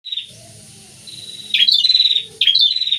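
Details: A pair of prinias singing, sharp high chirping phrases in two bursts after a quieter start, with faint low background hum.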